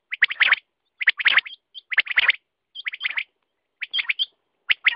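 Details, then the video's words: Quail calling in clustered bursts of sharp, clipped notes roughly once a second, with thin whistled notes at times. No other sounds. "Batair ka awaz"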